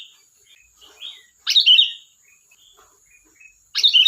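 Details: Sooty-headed bulbul in lively song: soft short whistles leading into two loud, liquid, tumbling phrases about two seconds apart, over a faint steady hiss.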